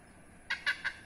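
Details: Rare protected hornbill near a house in Indonesia giving three short harsh honking notes in quick succession after a brief quiet start.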